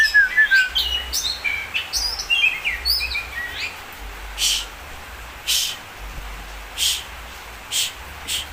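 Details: Oriental magpie-robin singing a quick run of clear, varied whistled notes, some rising and some falling, over about three seconds. These give way to sharp, noisy bursts roughly every second against a steady hiss.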